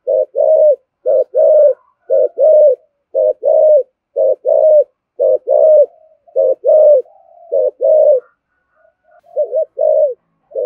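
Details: Spotted dove in a native-style voice, calling to stimulate a decoy bird into quick cooing: paired short coos repeated about once a second, steady and mellow, trailing into softer, broken notes near the end.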